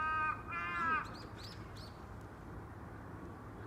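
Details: A single loud, drawn-out crow caw opens, followed by a few fainter, shorter, more distant caws against a low rumbling background.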